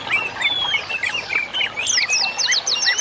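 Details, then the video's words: Masteran birdsong for cage-bird training: bright chirped phrases repeated in quick succession, ending in a rapid run of very high, sharp notes. "MASTERAN INI BUAT TERAPI BURUNG"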